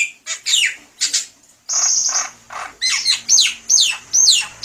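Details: Buffalo myna, known locally as jalak kebo, singing as a lure: harsh raspy squawks and a buzzy note, then repeated sweeping whistled notes about every half second.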